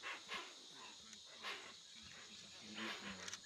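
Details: Hoatzin in the Amazon of Brazil giving three hoarse, breathy bursts roughly every 1.3 seconds, each with a low grunting undertone, over a faint steady high insect hum.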